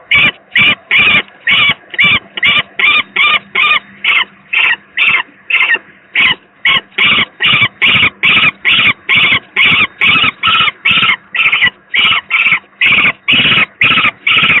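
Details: Harsh rasping cries of a young peregrine falcon at the Gdynia PGE power plant, Poland, on 18 May 2023, when the second youngster was feeling very poorly; around thirty strident calls pour out almost nonstop at about two per second over a low electrical hum.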